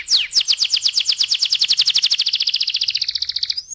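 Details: Canary lure song in the 'ngeroll' rolling style: one quick descending note, then a long, very fast and even trill of bright, high repeated notes that drops slightly in pitch at the end.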